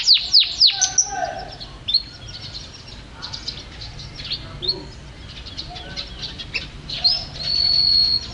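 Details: A yellow canary sings high and bright: a quick run of three sharp downward-swept notes, then scattered chirps and twitters, ending in a long, steady whistled note.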